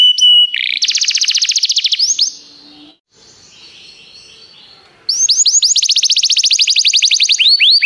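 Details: A canary sings a training recording: a steady whistle, then a rapid even trill and a few swoops, a quiet pause of about two seconds, then fast repeated upward-hooked notes resuming loudly.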